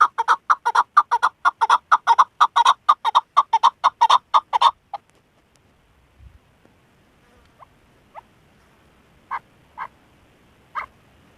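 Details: Female chukar partridge kept as a hunting decoy: rapid run of harsh, clucking chuk notes, about two per second, for five seconds, then silence broken by a few scattered single notes.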